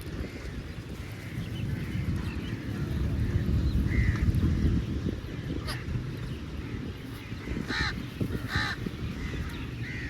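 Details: Crows feeding together, faint scattered caws early on, then two louder harsh caws near the end, amid a continuous low rumble.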